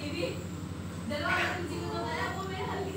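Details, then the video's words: A pet talking parrot speaks in a human-like voice, repeating a short Hindi phrase meaning "I am mummy's dear son," over a steady low engine-like hum. "Mummy Ka Beta Hu Main // Talking Parrot"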